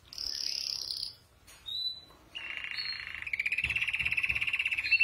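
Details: Five canaries in a training song, heard more faintly: a drawn-out high whistle, a short pure note, then buzzy rolling tours and a pulsing trill rising in loudness.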